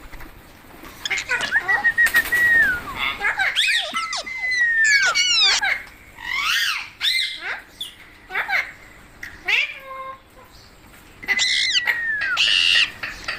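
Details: Pet parrot chattering at home with its owner, producing a long run of varied squawks, sweeping whistles and clicks in irregular bursts, with a sustained whistled tone near the start and again near the end.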